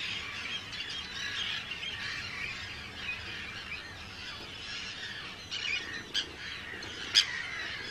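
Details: Arctic terns at a big breeding colony on Rottumerplaat, Groningen, the Netherlands, 4 June 2023: a constant rasping chorus of many birds, with a few sharper nearby shrieks standing out near the end.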